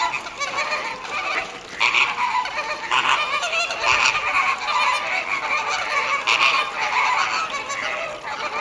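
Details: Captive Caribbean flamingos at WWT Slimbridge, recorded 4/5/2011, in a loud flock chorus of overlapping nasal, goose-like honks that goes on almost without a break.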